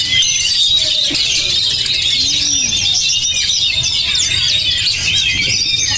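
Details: Oriental magpie-robin (kacer) said to be fiery and tough-minded, pouring out busy high warbling with fast chips, buzzy trills and whistled slurs, plus a soft low arching note.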